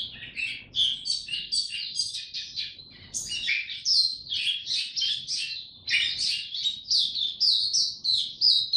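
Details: An Oriental white-eye in ramped-up singing form, recorded 3 January 2022, pours out a fast, high, twittering warble of thin chirps and trills, run together almost without pause.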